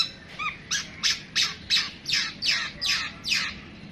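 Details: Long-tailed shrike (pentet) delivering a 'tembakan panjang' phrase of harsh, raspy notes, about nine strokes spaced roughly every third of a second, preceded by a soft whistled note.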